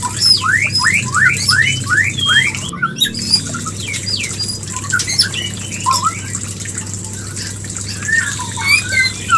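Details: Breeding lure of a white-rumped shama: a fast series of steep upslurred whistles at the start, a brief dropout, then scattered softer whistles and chips, all over hum and hiss.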